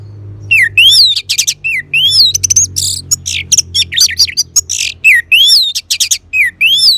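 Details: Loud, rich, continuous song of an orange-headed thrush used to coax caged birds to sing: varied high whistles, rising slurs and harsh buzzy notes tumbling one after another with barely a pause.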